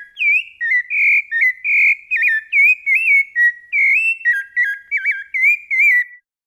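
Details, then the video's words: Fluted Brumado song of a rufous-bellied thrush: a lively run of pure whistles, several with quick zigzag trills in the middle, repeated roughly once a second, stopping cleanly at the end. "SABIÁ LARANJEIRA BRUMADO CANTO FLAUTEADO"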